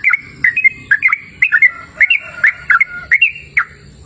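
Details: Sooty-headed bulbul singing outdoors in a cool, open natural setting: short liquid whistled phrases, each a quick rising-falling pair of notes, repeated steadily about twice per second.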